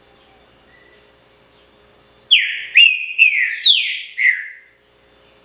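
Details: Trinca-ferro, the green-winged saltator, delivering a pixarro-style phrase: after a quiet start, five loud whistled notes follow quickly, each falling in pitch, some with a brief high overtone at onset.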